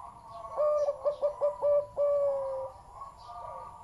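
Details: Big-voiced zebra dove delivers five short, punchy coos in quick succession, then holds a long steady note that fades away, with soft cooing from other doves behind.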